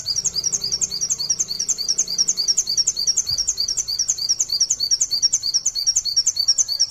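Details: Long-line 'nembak sejaluran' song of an Indonesian white-eye (pleci), recorded as a tutor for other white-eyes: a steady, rapid stream of high chirps, roughly three per second, without pause.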